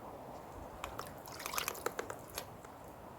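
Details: Irregular water drips and small splashes in a small enclosed space, with several sharp plinks clustered in the middle and a soft constant background hiss; no animal sound.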